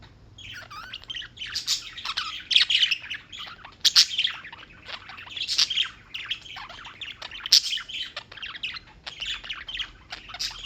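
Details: Small birds chirping continuously in New York, United States: dense bursts of high, sharp chirps and squeaky notes, many overlapping, in a steady chatter with brief pauses.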